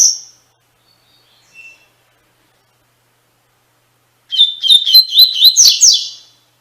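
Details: Double-collared seedeater delivering Tui Tui Fibra song, used to tutor caged birds: after a short high note and quiet pause, a vigorous burst of quick repeated whistles that rises into a sweeping, buzzy slur, about two seconds long.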